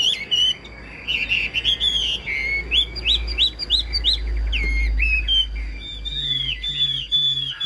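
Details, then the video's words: Chinese hwamei kept as a cage bird, described as a good, well-structured singer: rapid series of upslurred whistles repeated about three a second, then looping warbled phrases over a faint low hum. "Hm 2896 - Bóng bộ đẹp, lông xanh mắt méo, hót tốt bài bản"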